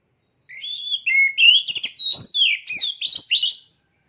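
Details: Caged oriental magpie-robin being readied for competition sings one continuous three-second phrase of rapid, varied whistles, rising slurs and brief chattering notes.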